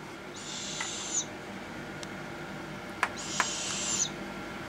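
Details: Young captive Barred Owl siblings, growing fast, give two long, breathy hisses about three seconds apart, with sharp bill snaps and pops between them over a quiet background.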